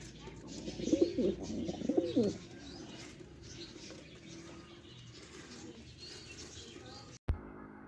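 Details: Afghan pigeons from Parachinar: two low, throaty cooing bursts near the start, each a wavering rolling phrase, followed by a long stretch of quiet background hum and a brief click near the end.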